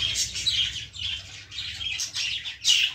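Young lovebirds give a steady stream of high, raspy chirps and squeaks, overlapping in quick bursts with a louder cluster near the end.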